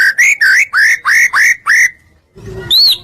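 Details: White-rumped shama song used to provoke other shamas into singing: seven loud rising whistled notes in quick series, a short pause, then a sharp high upslurred whistle.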